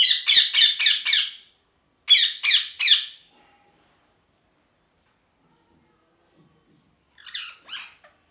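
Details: Parrot giving loud, harsh squawks in quick runs of four to five, then three, about four per second, and a softer burst of three after a few seconds of quiet.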